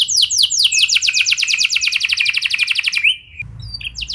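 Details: Canary song used as a lure to make other canaries sing along: a fast trill of descending notes, about fifteen per second, ending in a short rising whistle, then slower sweeping syllables.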